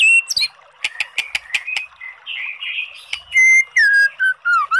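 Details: Singing white-rumped shama, used to spur a listless bird to reply: sharp clicks and rasping notes, then loud, pure whistles that drop and glide in short phrases.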